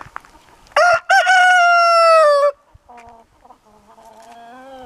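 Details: Orpington chicken crowing loudly and close: a brief opening note, then a long sustained, slightly falling crow of about a second and a half, followed by softer, lower drawn-out calls from the flock.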